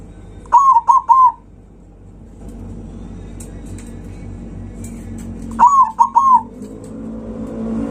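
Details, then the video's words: Zebra dove singing loudly to provoke rivals: two phrases of three quick, hollow coos about five seconds apart, with a low rumble of background noise between them. "Perkutut suara kencang, bikin lawan naik emosi"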